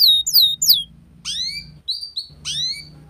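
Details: Canary song played as a lure for young canaries learning the ngeriwik style: high, downward-sweeping whistled notes in short bursts separated by pauses, over a steady low hum.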